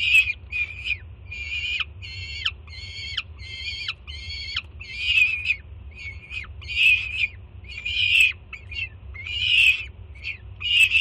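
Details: Excited juvenile peregrine falcon at its Jersey City nest on a June 2017 morning, greeting the mother carrying food; a run of evenly spaced harsh notes, then louder, more ragged screams in irregular bursts.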